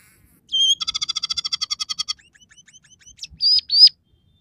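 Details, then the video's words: Scaly-breasted munia in full song with sparrow, red siskin and canary fill-ins: a whistle, then a rapid even rattle of fifteen or so notes, soft ticking, and two rising whistled slurs. "suara burung emprit peking gacor dengan tiga variasi lagu"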